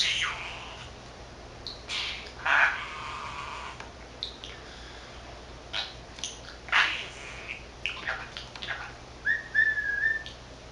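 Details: A male budgerigar of 13 months chattering to himself, his repertoire including Korean and Japanese words. Soft murmured syllables and scattered clicks with a quick whistled slur near the end, fairly quiet throughout.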